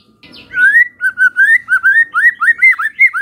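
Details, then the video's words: White-rumped shama lure song to make other shamas reply: a rhythmic series of clear, slurred whistled notes repeated about four times a second, each rising and falling. "pancingan murai batu ini bikin GAMPANG NYAUT murai lainnya"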